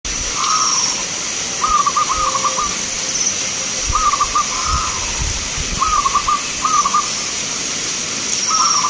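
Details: Local zebra doves singing at a song contest in Grabag, Magelang, Indonesia, with birds brought from many cities: short stuttering, rippling coo phrases repeated every second or so, with overlapping singers over a steady hiss of background noise.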